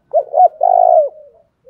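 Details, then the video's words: A single phrase from a decoy spotted dove, tho dong / thuc dau style: two quick hollow notes run straight into one long, loud, steady coo that fades away. "tieng cu gay tho dong thuc dau thuc dau"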